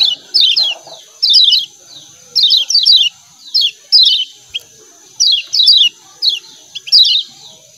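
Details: 'Ciak ciak' calls of a lemon-bellied white-eye, a recording meant to tutor kept birds: sharp descending chirps bunched two or three at a time, repeated steadily, with a constant faint high-pitched hum behind.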